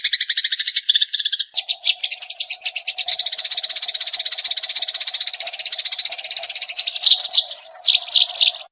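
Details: Eurasian tree sparrow in rapid-fire 'tembakan' chirping: quick bright chirps merge into a long unbroken rattle of high notes, with a steady low hum underneath and a few looser chirps at the end.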